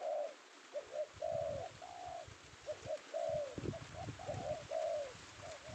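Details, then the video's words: Male spotted dove of the penguku voice type, prized by Indonesian bird-catchers as a lure bird, newly caught in the afternoon; low mellow coos in short phrases, a brief double note then longer drawn-out coos, repeated with faint background rumble. "Target Penguku berhasil kita amankan idaman para pemikat"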